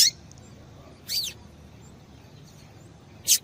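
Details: Female double-collared seedeater calling, used to excite males into singing: three short high chirps with a downward slur, about one to two seconds apart, over a quiet background hiss.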